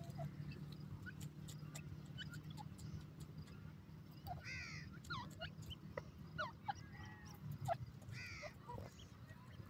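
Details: Iranian francolin chicks being raised in captivity, with an adult shown interacting with them. Short, high, falling peeps and quick chirps come in scattered bursts over a steady low hum and faint clicks.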